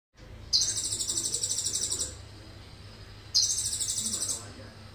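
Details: Sunbird from Indonesia in full voice, its song filled with cililin phrases: two high, rapid pulsed trills, each about one and a half seconds, separated by a quiet gap of over a second, over a low steady hum.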